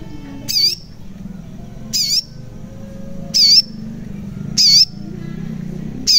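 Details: {'caption': 'Crimson sunbird (sogon) calling, played to coax lazy or silent birds into singing: five brief, very high, sharp chirps spaced a little over a second apart, with a faint low hum beneath.'}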